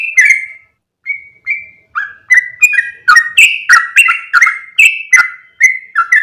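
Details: Yellow-vented bulbul lure call to attract other bulbuls: starts with a few spaced whistled notes, then speeds into a lively series of click-led, warbling whistles about three per second.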